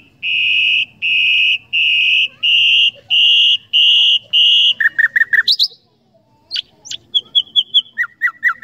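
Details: Common nightingale singing: a run of seven long, level whistled notes, then a quick series of sharp downward-sweeping chips and bright repeated notes, with a brief pause between phrases.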